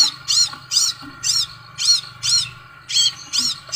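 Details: Short run of high, piercing arched notes from a scarlet sunbird, spaced roughly every half second, with a low steady hum underneath.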